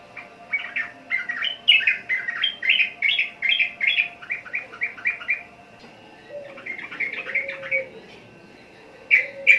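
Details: A sooty-headed bulbul sings long chattering strings of quick, bubbly, mid-high notes, about three per second. It breaks off briefly, then resumes with a shorter phrase, while a faint lower hum runs underneath.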